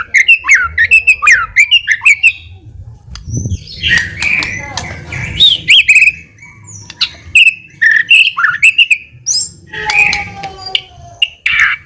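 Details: Lure song of the White-rumped shama for provoking a reply: bursts of quick whistled notes and varied warbling phrases with pauses between, a faint low rumble in the middle.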